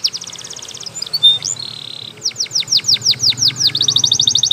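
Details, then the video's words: Canary singing a training song: fast trill, a soft buzzy note, then slow descending whistled sweeps about four per second ending in a rapid trill; low background hum. "Canary's Most Powerful Song For Training"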